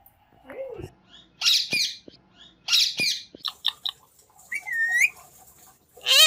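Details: Green parrot mixing harsh squawks with garbled, speech-like phrases and a few rising whistled notes. The bursts are uneven and closely spaced, over a faint low hum.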